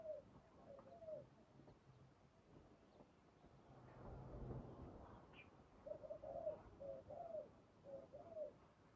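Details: Spotted dove during trapping with a decoy: low coo phrases at the start, then a stretch of deep rumbling noise, then more paired, slightly falling coos near the end.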